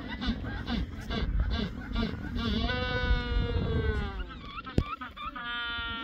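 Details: Hungry penguin chicks at a colony at Cabo Vírgenes, Santa Cruz, Argentina, begging for food while the parents search for it. Overlapping braying cries with long harmonic wails, some falling, then a sharp click and more calls.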